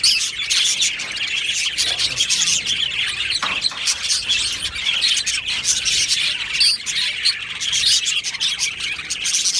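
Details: Colony of budgerigars kept in an aviary, recorded 22 June 2025, chattering nonstop: layered high-pitched chirps, squeaks and warbling trills from many birds, fairly even in loudness.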